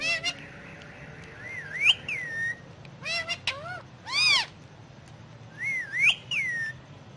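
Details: Pet Indian ringneck parakeet talking in Urdu or Hindi while on pillows indoors; short whistled word-like phrases with rising and falling swoops, separated by pauses, plus a few sharp clicks.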